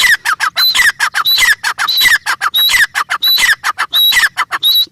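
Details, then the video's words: A grey francolin (teetar) gives loud, harsh, rapidly repeated squawking calls with high ringing notes, several bursts each second, continuous throughout. "Teetar ki awaz | teetar sound"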